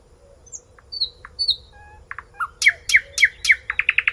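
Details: Nightingale song opening with sparse thin whistles and short notes, then building into a fast series of loud, sharply repeated chirps that speed into a rapid trill; faint constant hum behind.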